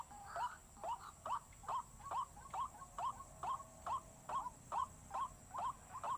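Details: White-breasted waterhen lure sound: repeated short, rising, slightly hooked notes at about two per second over quiet hiss.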